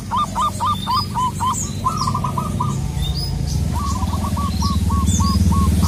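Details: Local perkutut (zebra dove) sung to call a rival: bouncy runs of quick curled coos, a lower trilled phrase, then a steady sequence of evenly spaced notes, over heavy low background hum and scattered chirps.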